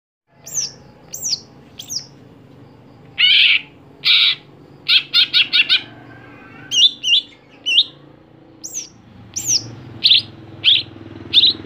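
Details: Greater green leafbird, a caged songbird kept for singing contests. Loud, varied phrases: rapid downslurred whistles, bursts of harsh buzzy notes and a run of short chattering notes, with soft low background hum.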